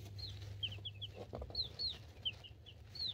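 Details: Brooder of two-week-old chicks (Cream Crested Legbar, Buff Orpington, Black Sexlink, Partridge Silkie) filmed by cell phone; bright, falling cheeps come in scattered clusters, with a faint thump and a constant low hum underneath.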